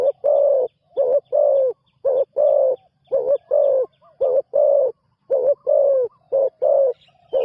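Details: Spotted dove ground decoy, a new bird out for first training, delivering a steady run of low, hollow coos, clipped notes mixed with drawn-out ones, rhythm slightly uneven, no other sounds.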